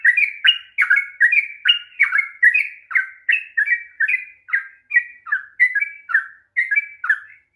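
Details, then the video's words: Sooty-headed bulbul, long ropel song played to make a reluctant bird sing: a fast, even series of slightly harsh chirped whistles, roughly two each second. "kicauan TRUCUK ROPEL PANJANG// perangsang bunyi trucukan malas bunyi"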